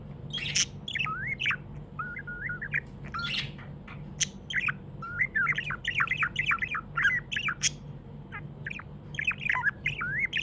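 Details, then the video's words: Happy pet budgie chirping in a rapid chattering warble. It mixes short rising and falling whistled notes with sharp clicks and buzzy squawks, almost nonstop over ten seconds. A faint low hum runs beneath. "Happy budgie chirping sounds"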